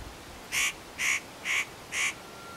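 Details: A spotted nutcracker at Matsunokisawa-no-atama, Japan, unaware of the observer, calls between preening: four harsh, rasping 'kraak' notes about half a second apart, over a quiet background.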